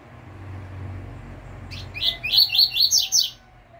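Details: Double-collared seedeater singing the pure 'tui tui fibra' song style, used as a tutor recording for caged seedeaters: after quiet background hum, a quick series of six bright, slurred chirping notes repeated rapidly, then silence.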